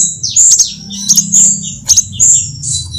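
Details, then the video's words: High sunbird twittering used as a lure for trapping, mixing several sunbird kinds: thin sustained whistles punctuated by quick paired chips, over a faint low hum. "Suara pikat semua jenis burung kolibri"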